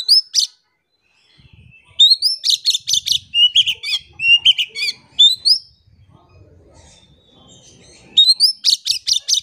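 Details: Gacor song of an Oriental magpie-robin (kacer), offered as a lure to make silent birds sing. Piercing rising notes come in quick runs, mixed with lower warbled phrases, then fall to a quiet pause before a final volley.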